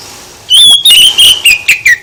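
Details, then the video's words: Oriental magpie-robin singing a provoking song meant to draw answers from other birds: a brisk string of loud, clear whistles with small dips and downward slides, repeated in quick pulses. "Gak Mungkin Gak NYAUT ketika KACER ditempel dengan KICAU ini"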